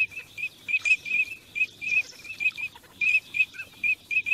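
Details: Teal on migration giving short, high whistled notes in a quick, uneven series, about three calls a second, with faint rustling between them.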